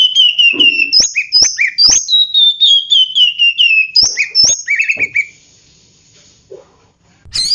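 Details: Oriental magpie-robin (kacer) song: a long wavering run of clear whistled notes mixed with sharp snapping clicks and short chirps, then a quiet gap.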